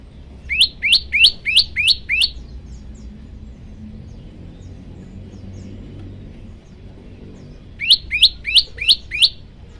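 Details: Repeated loud, sharp chirps of an olive-backed tailorbird from a bird-training recording with variations: a fast run of six piercing high notes, a pause of several seconds, then five more at the same rapid pace.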